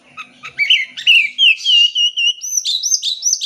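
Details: Oriental magpie-robin song played to coax a bird that is reluctant to sing: quick chips lead into a long steady whistle, followed by rapid bright repeated notes.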